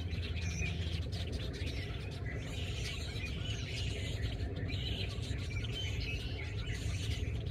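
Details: In a tree at Oviedo, Florida, a flock of birds, possibly red-winged blackbirds, keeps up a steady, overlapping chatter of high chirps and squeaks over a heavy low rumble of wind or traffic.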